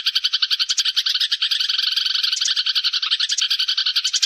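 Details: Chattering sparrow flock call, a recording for luring birds: quick, overlapping chirps tumbling over one another several times a second, with a few sharper notes standing out.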